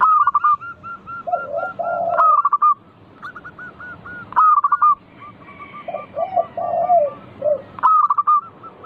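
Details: Lure recording of a local zebra dove to get other doves calling back: loud clipped note bursts every few seconds alternating with soft low coos, over a steady string of quick repeated short notes.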